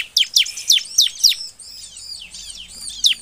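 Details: Bar-winged prinia singing in the lively nembak style, used as a lure to prompt other birds to sing: quick, high notes sweeping sharply downward, five in rapid succession, a softer warbling pause, then another sharp descending note.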